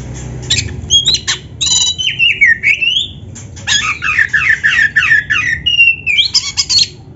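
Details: Oriental magpie-robin, called kacer, singing in a masteran track to stimulate other kacer: harsh scratchy notes and crisp ticks, long downward-sliding whistles, then a rapid rolling run of rich whistled notes and a final rising phrase.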